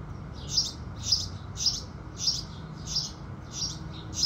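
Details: At sunrise a house sparrow chirps loudly and repeatedly, short bright notes roughly every half second, with a low steady background murmur.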